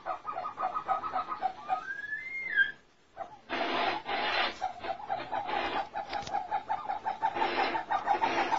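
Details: Captive snowcocks, trapped a month and a half earlier and now beginning to sing, give a series of mid-pitched clucking notes and one rising whistle, with loud scraping and rubbing noises in bursts.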